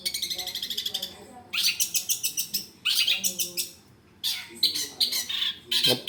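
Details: Long-tailed shrike used as a song tutor recording: bursts of rapid, harsh, rattling chatter repeated in quick pulses, separated by brief pauses, with a man speaking faintly in the background.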